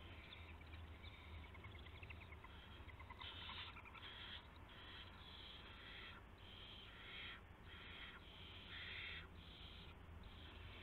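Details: Owl at the nest at 1:00 AM on March 24, 2016, after a gopher is brought in as prey. Irregular harsh, breathy hissing bursts start midway and repeat over a steady low hum.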